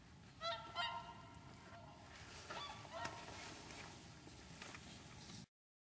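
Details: Whooper swans wintering at Lac du Der, France, on 30 January 2014 give a couple of loud harmonic honks early on, followed by fainter scattered calls amid rustling noise before the sound cuts off.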